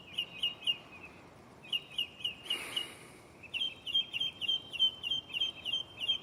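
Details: Mockingbird in a tree close by at night, repeating short chirped phrases in quick groups of three to eight notes, with a brief burst of hissing noise in the middle.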